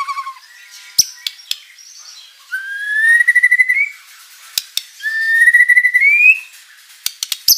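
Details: Energetic white-rumped shama song with learned material: two long, steadily rising whistled phrases, each slightly wavering, separated by quiet stretches with scattered sharp clicks.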